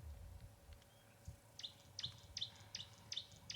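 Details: Tawny-flanked prinia calling in the background during a morning game drive at Ngala Private Game Reserve, South Africa, 11 April 2020: a quick series of six sharp, high chipping notes, about three per second, over low rumble.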